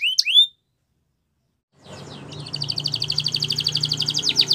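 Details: Canary training song: a few short sweeping notes, then silence, then a fast rolling trill of high, even pulses that grows steadily louder, with a low hum underneath.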